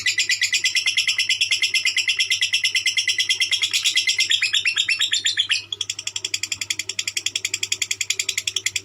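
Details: Lovebird delivering continuous konslet chatter, dense high buzzy notes racing along for the whole stretch, with a brief dip and change of phrase midway, over a low hum.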